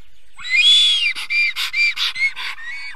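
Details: Black stork in Estonia reacting to an enemy, most likely a bird of prey, at 5:48 am on 4 June 2021: a long whistled note, then a quick series of shorter whistles broken by rough, breathy bursts.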